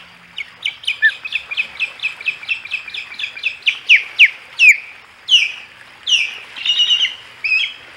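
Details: Three ospreys at the Hog Island nest on 15 August 2020: steady train of high, clipped whistled chirps about five per second, swelling into louder, longer downslurred squeals near the end.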